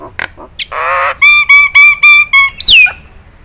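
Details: Nias hill myna in a training recording made for other birds to copy: harsh buzzy bursts, then five loud, evenly spaced whistled notes with a ringing tone, ending in one sharp downslurred whistle.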